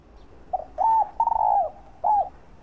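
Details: Spotted dove coo meant to stimulate and draw in other doves: a soft pip, a two-note coo, a drawn-out tremulous coo dropping in pitch and a last rounded note, otherwise quiet.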